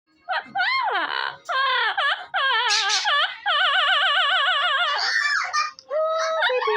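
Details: Double yellow-headed amazon (Amazona oratrix) singing to its owner at the end of the day, a loud, wavering run of tremolo notes sliding up and down like an operatic warble for about six seconds.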